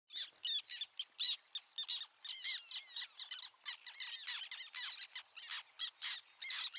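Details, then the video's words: Several black terns (Chlidonias niger) call at once, giving harsh, squeaky, high-pitched, grating chattering calls in quick overlapping bursts. "Black Tern : Bird Song Identifier. Do you the sound of this Bird?"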